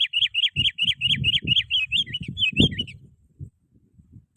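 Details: Sooty-headed bulbul song for luring wild bulbuls by calling rivals: a rapid series of bubbly whistled notes lasting three seconds over continuous low rumbling and thumping noise.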